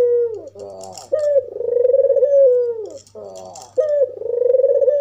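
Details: White red-eyed albino African collared dove gives a purring, stuttered note, then a long, wavering, low coo falling at the end, and begins the cycle again. The call is meant to provoke other doves, over a faint hum.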